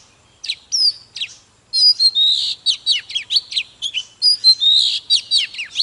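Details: Oriental magpie-robin singing while displaying, in a loud, intense song used to fire up other magpie-robins. It runs as a rapid series of varied high whistles and sweeping slurred notes with short breaks between phrases.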